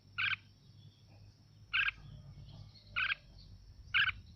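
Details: Red-whiskered bulbul song used as playback to stir other birds into singing. Short, bright notes are given about every second, with a low steady hum underneath.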